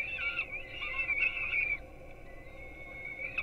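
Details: Young peregrines on a Gdynia, Poland, nest webcam at breakfast time, 4:21 am: a loud run of wavering, squealing calls for almost two seconds, fading into a long thin level whine.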